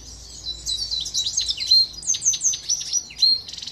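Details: High, continuous twittering song of a silver goldfinch x canary mule recorded in Greece in 2023, mixing quick chirps, short slurred whistles and a brief buzzy rattle at the close.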